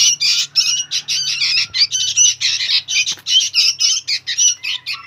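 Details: Young sooty-headed bulbuls make incessant, harsh, scratchy calls, each burst about a third of a second, repeated in a steady, excited rhythm over a faint low hum.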